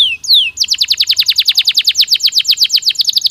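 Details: Stimulating canary song for the breeding season. A couple of long, falling whistles open the phrase, then a fast, rolling tour of short, sharp notes repeats evenly to the end.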